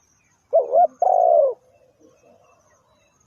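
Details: Spotted dove used to lure wild birds into a trap, calling a short wavering double coo followed straight away by a long burry falling coo, then quiet with soft faint chirps.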